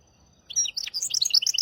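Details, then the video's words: Brief burst from a hybrid finch's tutoring song for goldfinches and canaries, styled maestro, hafada and widani: after a quiet start, sharp high chirps and bright twittering notes follow in quick succession. "تغريد رهيب طائر الهجين ميسترو حفاضة ويداني لتعليم طيور الحسون والكناري بدون أخطاء"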